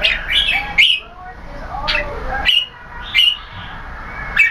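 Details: Red-whiskered bulbul (jambul) with growing tail feathers, a keke competition bird; short rising and falling whistled phrases repeated about once a second, with slurred lower notes between.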